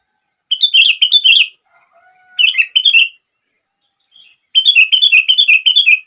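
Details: Sooty-headed bulbul song to stir other bulbuls into singing: quick runs of repeated chirpy whistled notes, about three per second, in three bursts. The last burst is the longest, and faint low tones fall between them.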